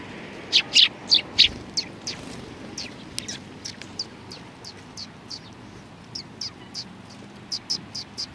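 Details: Eurasian tree sparrows gathered on a bench at a Tenmangu shrine in Japan, 30 January 2020: brief sharp high chirps, loud at first then softer and scattered, several per second, against faint background noise.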